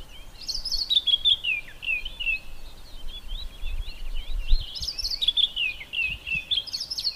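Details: A White-browed Scrub Robin singing from inside a bush gives two bouts of quick, varied, sweet whistled phrases that rise and fall, separated by a short pause, over a low background rumble.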